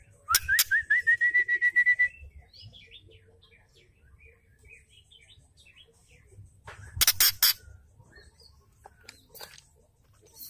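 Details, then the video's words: Female white-rumped shama giving its ketrekan rattle, used to stir males into singing: two sharp broadband clicks, then a rapid stuttered series of short rising notes climbing and levelling off, followed by soft scattered chirps and another burst of harsh clicks. "KETREKAN PENDONGKRAK EMOSI MURAI BATU❗❗MURAI BATU BETINA"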